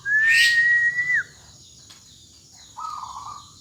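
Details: Kepodang emas, the black-naped oriole, sung as tutor material for young birds: one long clear whistle held level then dropping sharply, then a short quiet buzzy note after a pause.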